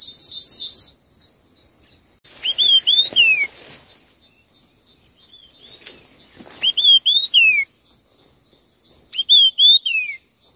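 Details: Red-tailed minla in a song contest, delivering quick whistled phrases that rise and then slide down, three bursts after an opening of shrill high chatter, with soft background twitters and some rustling.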